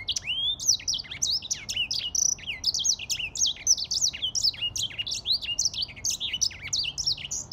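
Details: Continuous lively warble from a grey singing finch: quick, high, varied notes tumbling over one another without a break for the whole stretch.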